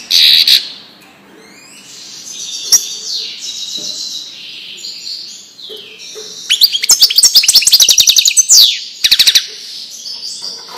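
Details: Widani-style European goldfinch song used to teach chicks: scattered thin, drawn notes at first, then a fast, crowded burst of sharp twittering and buzzy trills in the second half, with brief gaps.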